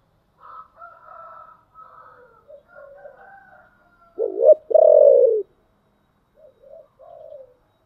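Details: Spotted dove song, 'giọng thổ' style: a loud stuttering coo then a long, buzzy, falling coo, with softer warbling bird calls before it and faint coos after.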